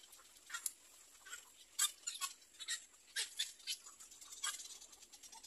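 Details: Young little egrets in the nest, awaiting their mother, utter sharp rasping bursts spaced about half a second to a second apart, each brief and broadband.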